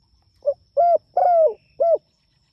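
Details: A single cooing phrase from a spotted dove calling to its companions: a brief quiet note, then a mellow coo, a longer coo that slides downward, and a final rounded coo. The background is quiet apart from a faint high hum.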